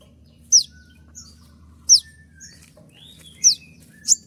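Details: A konin in moult, singing a 'tembakan' master recording for training birds: loud, very high, sharply descending shot-like notes every one to one and a half seconds, with soft lower whistles and faint chips between.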